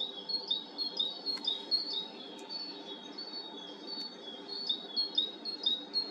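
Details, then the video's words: Several tits singing high, bright repeated notes, about two a second, overlapping over a faint low hum, early morning on 3 May, heard from a balcony. "Голоса синиц рано утром"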